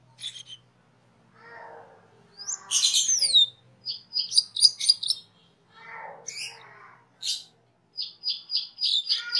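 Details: Cucak keling song used to train cage birds: scattered high chirps, a loud harsh rasp, then clusters of quick squeaky notes and a final series of rapid repeated chirps, with faint lower murmurs between.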